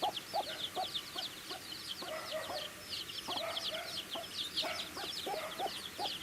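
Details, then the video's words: Feeding baby chickens keep up a busy chorus of sharp, high-pitched peeps, some sliding downward, over a regular pattern of low knocking taps. "Cute Baby Chicks Chirping Sounds"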